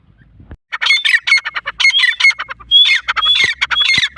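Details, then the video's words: Loud raspy squawking from grey francolin chicks in Taunsa, with whistled upslurs in each burst and low rumbling background noise. "Dakni titar chicks|dakni titar sound"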